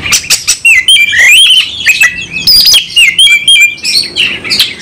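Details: Oriental magpie-robin in heated fighting song: bursts of bright whistles and buzzy trills, with clipped phrases repeating in quick succession.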